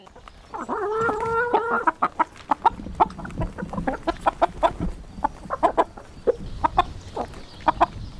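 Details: Rooster giving a short, stepped crow near the start, then steady rapid clucking from several chickens carries on for the rest.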